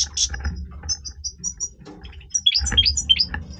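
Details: Breeding-voice song of a European goldfinch: high liquid twitters and short thin whistles, then a lively burst of rising and falling chirps near the end over faint low noise.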